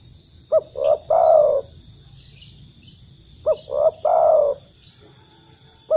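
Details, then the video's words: Spotted dove lure call meant to get a dove to sing, given in the wild to call companions. Repeated low three-note coos: a short pop, a rounded coo and a long mellow coo, with the next phrase starting at the end. "TEKUKUR TAK KUNJUNG BUNYI PUTAR SUARA TEKUKUR INI"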